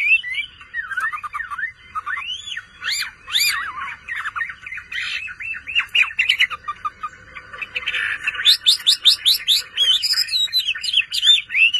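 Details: Chinese hwamei, a kept songbird owned by a bird-keeping hobbyist, singing loud, varied whistled phrases of rising and falling slurred notes. After about eight seconds it shifts into rapid runs of sharp, high repeated notes.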